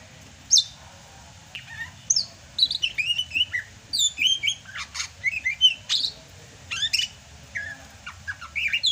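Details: Greater green leafbird from Sumatra singing hard in the rainy season, a busy, jumbled run of chirps, slurred whistles and sharp clicks delivered almost without pause.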